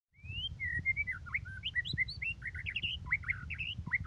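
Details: White-rumped shama singing actively: a fast, varied run of clear whistled notes and slurred phrases, rising and falling between mid and high pitch, with a steady low hum underneath.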